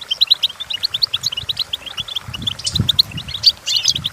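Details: Goldfinch song for training goldfinches to sing: an even, rapid stream of high chirps and twitters, with faint low rumbling noise underneath during the second half.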